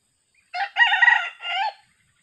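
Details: Young decoy junglefowl, healing after being attacked by a leopard cat and now in training, crows once in three parts: a clipped first note, a loud extended grating middle, and a softer trailing close. No other sounds.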